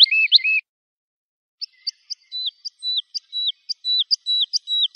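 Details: Lark singing, recorded for young birds to memorize: a brief burst of fast doubled notes, a one-second pause, then spaced high flicks alternating with short level whistles that grow denser toward the end.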